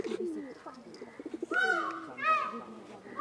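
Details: Peacock mating call: loud, nasal, harmonic-rich wails rising then holding steady, two calls in quick succession after a stretch of soft low murmuring, with cooing and voices in the background.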